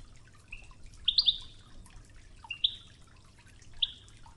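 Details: Goldfinch in the Ouidane song style with flowing river water: a soft low note, a quick cluster of sharp high chips, then single sparse tinkling notes spaced over a noticeable watery background.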